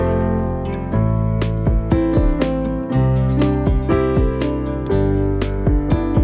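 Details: Plucked acoustic guitar playing gentle strummed chords and picked notes, with no animal sounds.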